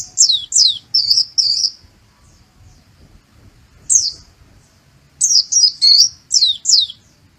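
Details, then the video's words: White-eye delivering learned sunbird-like phrases: bursts of sharp, high, downward-slurred chirps in quick groups of three to five, separated by short silences. "Suara Pleci Rasa Kolibri Muncang"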